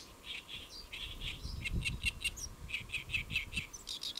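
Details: A great reed warbler (Acrocephalus arundinaceus) perched on a lotus leaf at Saemangeum, Gimje, South Korea, around midday on 1 July 2024, sings harsh, grating, croaky notes in quick repeated bursts, some doubled, with squeaky accents over a low rumble. Great reed warbler.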